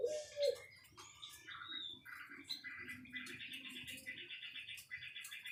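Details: White-rumped shama singing: a long run of short, varied whistled and chattering phrases repeated in quick succession, opening with a low cooing note, with faint dove-like cooing in the background.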